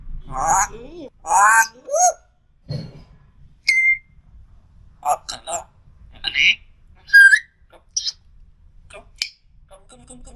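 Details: African grey parrot talking: short word-like bursts with rich harmonics, mixed with clean whistled notes and clicks, separated by brief quiet gaps in an indoor setting.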